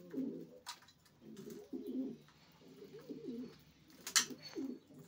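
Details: Racing pigeons cooing indoors: low, throaty rolling coos repeated in bursts, with a sharp click or clatter near the end.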